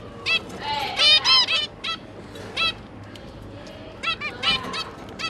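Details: Zebra finch parents busy feeding three juvenile young: clusters of loud nasal honking calls with rich harmonics, some bursts rapid and overlapping, then brief pauses, above a constant low background hum.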